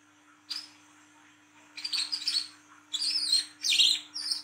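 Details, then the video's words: Speckled wiceh olive-backed sunbird, recorded at night in ngriwik style for luring young sunbirds: a single high note followed by three clusters of quick, shrill twittering. "KOLIBRI KELAPA WICEH TROTOL GACOR NGRIWIK NGLAGU"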